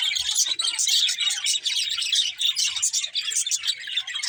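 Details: Several budgerigars chatter together, a lively mesh of shrill, rapid chirps and squeaky warbles, with faint low knocks in the background.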